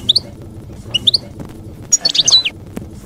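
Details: European goldfinch in campero song style, played to educate young goldfinches; paired high chirps at the start, then a dense tumbling twitter of sharp, liquid notes before a pause.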